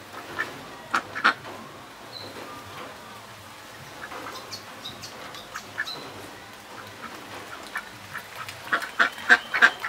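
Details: Juvenile (teenage) mallards give scattered short, reedy peeps and quacks, bunched into brief bursts at the start and end, over a soft background hiss.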